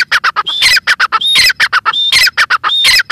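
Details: Female grey francolin (teetar) calling loudly: rapid runs of harsh squawky notes broken by rising whistled strokes, the phrase repeating roughly every three-quarters of a second, close and clear with little background.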